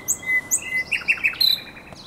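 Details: At the Żerań Canal on an April night in 2022, a common nightingale gives crisp high chirps, short whistled notes and a brief rattling flourish.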